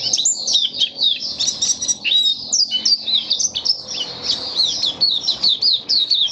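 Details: White-eye (mata puteh) singing on 23 March 2022 in warm humid weather: an unbroken, rapid, high twittering warble of thin slurred and looping notes running for over six seconds, with no other clear sounds.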